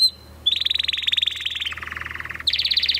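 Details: Canary song: fast trilled rolls of repeated notes, first a long high trill, then a lower trill, then a rising higher trill, loud and clear with little background.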